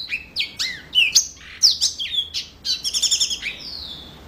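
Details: A yellow-fronted canary sings vigorously in gacor style: varied whistled phrases, swooping notes and a fast buzzy trill near the end, then a long thin descending whistle.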